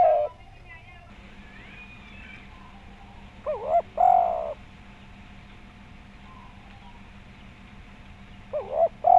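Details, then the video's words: Spotted dove used to prompt other doves to call; scattered coo phrases with stuttering starts and short bright coos, separated by long quiet gaps over a steady background hum. "Tekukur Gacor Suara Bulat Pemancing Bunyi."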